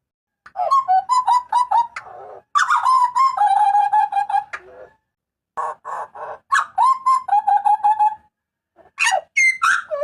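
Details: Butcherbird of Papua crying out loudly: rapid strings of ringing whistled notes mixed with harsh, grating bursts, in several separate bouts, ending with high squealing slurs. Clean, quiet recording.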